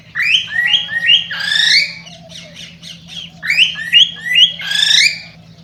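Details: Cockatiel warbling, played to prompt pairing: sequences of stepped whistles climbing in pitch, each run ending in a louder harsh squawk, repeated twice with soft chatter between.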